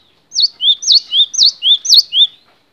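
A cinereous tit sings a clear two-note phrase, a sharp high note dropping to a lower slurred one, repeated four times in quick even rhythm.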